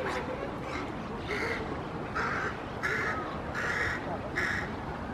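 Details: Crow recorded on 5 June 2016: a run of five rough, nasal caws, roughly evenly spaced under a second apart, against constant broadband background noise.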